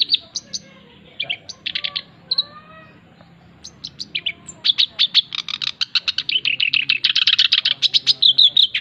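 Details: A male black-browed reed warbler begins with scattered chirps and slurred whistled notes, then accelerates into a dense, loud, grating chatter for the last several seconds.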